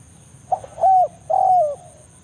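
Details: Single 'banggo' phrase of a spotted dove in forest calling a rival, a lure for trapping other doves: a quick soft opening note, then two smooth ringing coos that fall away at the end, over a faint steady whine.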